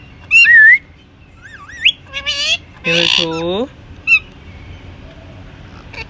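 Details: Pet Indian ringneck parakeet whistling a wavering note, then speaking a few voice-like phrases in low harmonic tones. It ends with a sharp chirp and quiet background.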